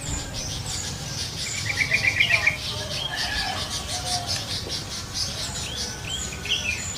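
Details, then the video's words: Wild yellow-vented bulbul delivering a fast, bubbling string of about eight clipped notes mid-clip, among many twittering birds and soft low rumble. "SUARA BURUNG TRUCUKAN DI ALAM LIAR"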